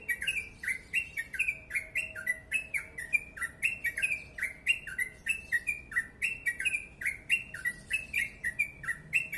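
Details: Yellow-vented bulbul delivering a tight 'ropel panjang' song: quick chirps that drop in pitch, repeated without pause for the whole stretch, bright and steady over quiet background.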